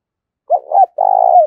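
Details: Spotted dove, a decoy bird in the local thổ voice style, giving a fighting call: two short hooting notes, then one long rolled coo that falls at the end. The background is quiet.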